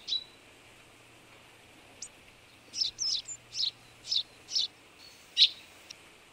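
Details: Partially albino Eurasian tree sparrow giving short, sharp chirps: two isolated chips, then a quick run of about six bright chirps spaced roughly a third of a second apart and a final louder one, over a faint low hum.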